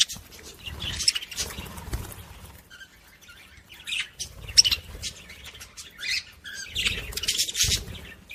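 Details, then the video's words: Budgerigar sounds for stimulating other budgies: bursts of harsh, raspy chatter and squeaky chirps, coming in clusters with brief pauses, plus faint low knocks. "صوت بادجي لتحفيز طيور البادجي العاشق والمعشوق"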